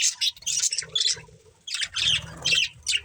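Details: A family of budgies chirping: short loud squawky chirps and scratchy warbles in quick bursts, separated by a brief quiet gap midway.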